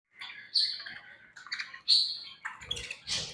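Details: Pet budgerigars chirping while eating: short bright warbled chirps and squeaky notes in irregular bursts, with a few louder sharp peaks and soft rustling near the end.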